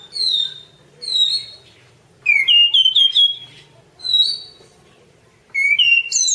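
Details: Anis cendana, or orange-banded thrush, masteran song: single drawn-out whistled notes spaced about a second apart, then a quick run of stepped whistles and a rising finish.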